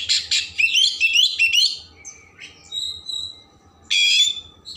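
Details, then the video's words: Oriental magpie-robin, a caged songster kept for rich varied song, meant to stimulate emotion and tail opening: loud rich whistled and chattering phrases, a sharp buzzy burst, then a quieter pause and another loud harsh phrase. "Kacer Gacor Isian Mewah Merangsang/Perangsang Emosi Buka Ekor"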